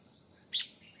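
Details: Red-whiskered bulbul, wild-caught bird in a fighting trap set for a wild rival: a single brief high whistled note, sharp and bright, then quiet.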